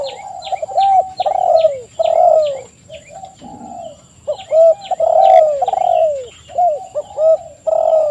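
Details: Spotted doves in a crowded song bout: mellow downward-sliding coos overlapping, while thin high chirps from small birds flick in above, especially early on.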